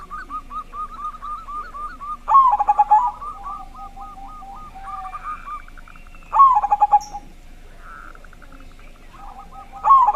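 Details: Zebra dove (perkutut) with a big, loud voice, used as a lure to make other doves start singing; mellow cooing phrases of rapid stuttered notes followed by runs of short, even coos, repeated about every four seconds.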